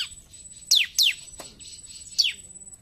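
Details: Bar-winged prinia in lively song, giving loud, quickly falling whistled strokes: two close together, a pause, then one more; a faint high steady tone and a soft low click are also present.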